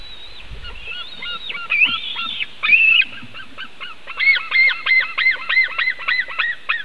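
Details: Nest webcam in Latvia, 2018, captures a white-tailed eagle calling: a few scattered, arching squeals and a harsh drawn-out note, then a quick run of about a dozen clipped, downcurved yelps in an even rhythm.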